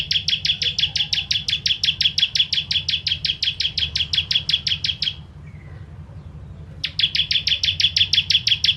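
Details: Ciblek kristal, the bar-winged prinia, recorded as songbird tutoring material: a long five-second 'tembakan pedas' stream of fast, shrill, evenly repeated chips, a pause with a faint thin note, then a further rapid burst.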